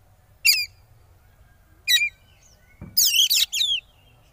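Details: Oriental magpie-robin in 'konslet' kacer style, sung to draw rival birds into singing: two short, sharp high notes about a second and a half apart, then a loud rush of descending chirps after a soft thud.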